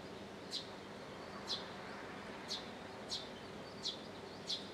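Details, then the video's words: Early-morning bird in Japan giving brief, bright downward chirps, six in under five seconds at uneven spacing, against a quiet background hiss. "Birds in the early morning on one day in Japan."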